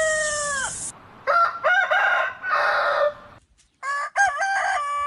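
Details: Roosters crowing in a compilation of breeds: a falling harmonic crow with hiss, then several hoarse, broken crow segments and a final wavering crow after a brief silence.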